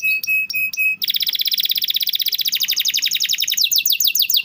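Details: Canary song as training material for stalled canaries: three short, clipped notes, then a long, rapid trill lasting over two seconds, ending in quick swooping whistles.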